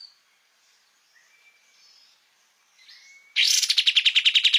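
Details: Kapas tembak, a songbird, recorded as master song for cage birds: soft thin whistles and a quiet stretch, then an abrupt loud series of rapid buzzy chattering notes.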